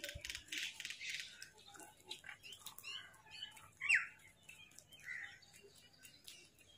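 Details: A large flock of black crows, described as angry, mobbing and attacking food; harsh, scratchy overlapping caws in dense bursts from many birds at once, with one louder sharp call near the middle and a steady background chatter.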